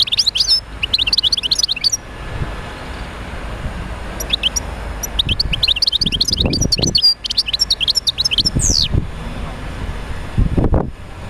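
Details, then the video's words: European goldfinch song intended to get other goldfinches singing: long strings of rapid, high, tinkling twitters in several phrases, with occasional low thuds in the background. "تحفيز طيور الحسون على تغريد"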